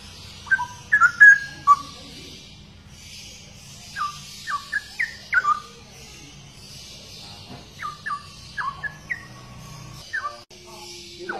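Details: Straw-headed bulbul (cucak rowo), a rare songbird famed for its song. Quieter, spaced whistled notes with sharp downward slurs arrive in small groups over a steady background hiss.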